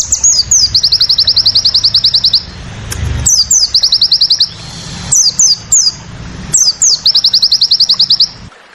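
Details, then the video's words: Crested jay song of the tembakan sadis style: long machine-gun runs of high, even staccato notes broken by quick descending whistled slurs, repeated in phrases every couple of seconds, faint low background rumble. "masteran burung sogon tembakan sadis"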